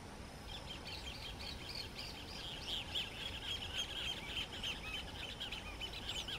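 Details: Least grebe in Arapongas, Paraná, Brazil, giving a continuous, fairly quiet stream of rapid chirping notes, steady throughout, over a noisy low background hiss.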